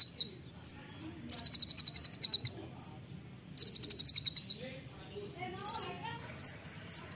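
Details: Olive-backed sunbird in a songbird training recording with a rapid, dense singing style: bursts of very high, fast buzzy trills alternate with short thin whistles and sharp upslurred notes, brief pauses between bursts.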